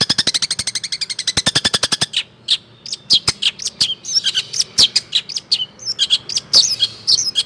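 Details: Long-tailed shrike song used as a tutor for training young songbirds: a fast train of sharp, evenly spaced high clicks for two seconds, then scattered high chirps and slurred whistles.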